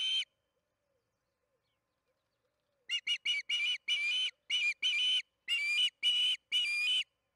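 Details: Evening feeding at the Charlo osprey nest, 8:15 pm MDT on June 21, 2019: one clipped note, a pause of more than two seconds, then an energetic string of whistled chirps, some short and some stretched to half a second.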